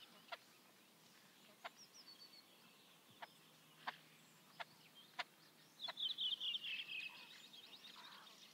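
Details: Great crested grebe at Liepāja, Latvia, 2023: sharp isolated ticks spaced every second or so, then a loud grating call of rapid pulses running for over a second near the end.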